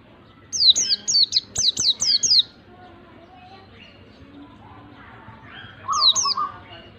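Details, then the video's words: White-eye used as a lure to provoke a reluctant bird into singing: a burst of six quick, sharp descending whistled notes, then a pause and a later short pair of notes with a lower warbled phrase. "PANCINGAN PLECI MALAS BUNYI pleci malas bunyi langsung ngalas emosi"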